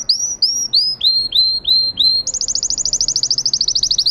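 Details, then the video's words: Whistled song of a Russian canary bred for singing: several slow upswept notes about half a second apart, then a sudden fast rattling trill that drifts slightly lower. "Red trees Canary Singing"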